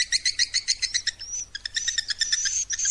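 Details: Swiftlet calling sound used to attract swiftlets: rapid, high, twittering chirps repeated in quick bursts, mixed with thin whistled slides, over a faint low hum.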